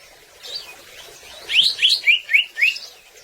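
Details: Greater green leafbird (cucak ijo) song for getting birds to sing: faint notes at first, then five loud down-slurred whistles at about four per second.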